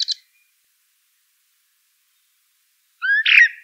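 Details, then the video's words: A Eurasian blackbird gives a brief high chip, then after a long silence a single rising fluty note that breaks into a scratchy twitter. "Eurasian Blackbird Call Song Sound"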